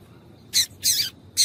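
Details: Close, loud calling from a female yellow-bellied seedeater meant to get males singing: three harsh, raspy squawks in quick succession, the middle one longer and buzzier.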